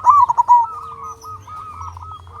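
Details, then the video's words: A short burst of zebra dove song from a local bird, recorded as a lure for other doves: a quick, bright, stuttering coo phrase, then quieter sustained cooing behind it. "Perkutut Lokal Gacor RAJA PIKAT Ahlinya Bikin Semua Burung Perkutut Gacor Nyaut"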